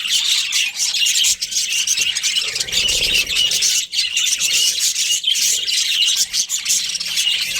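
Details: A budgie breeding pair chirps busily, high scratchy warbles and squawks running on continuously, broken by a few short gaps and soft low rustling.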